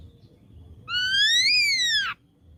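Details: Single loud ringing whistle from a young wild-caught ashy drongo, climbing steadily, peaking, then sliding down in a quick slur over about one second.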